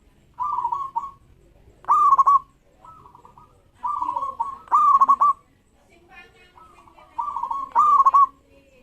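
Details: Local perkutut, a zebra dove, singing to spur rivals into answering: soft rolling trilled coos alternate with loud staccato bursts of a rising note and clipped follow-ups, three cycles in steady succession.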